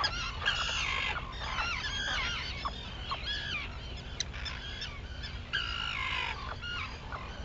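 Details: Arctic terns at dawn on Maine's Seal Island, 11 June 2018, calling continuously. Rasping arched cries pile on top of one another, with a few sustained scratchy notes and a steady low background rumble.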